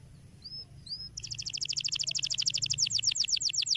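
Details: Canary singing: two short rising whistles, then a fast, even, high-pitched rattling trill that grows louder and carries steadily to the end.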